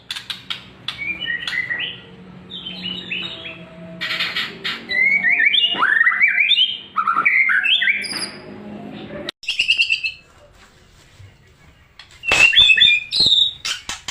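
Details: White-rumped shama song, played as a lure to prompt other shamas to sing, for morning and afternoon; varied whistled phrases and rapid chattering notes in bursts with short pauses between them.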